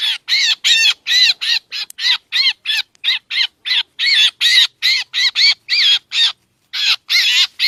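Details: Black drongo calls played as a trapping lure: rapid, scratchy notes at slightly uneven intervals, about three a second, with a short pause near the end before the series resumes.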